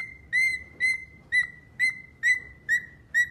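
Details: Seven crisp whistled notes from a pet cockatiel in just over three seconds, each note beginning with a sharp attack and then trailing off, all at one steady pitch.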